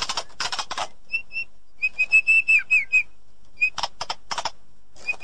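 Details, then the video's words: White-rumped shama song used as training audio for a silent bird: bright whistled notes in a steady series, one sliding phrase, framed by bursts of harsh noisy rasps at start and end. "Ocehan Murai Batu || Therapi Sangat Cocok Untuk Mengatasi Murai Batu Macet"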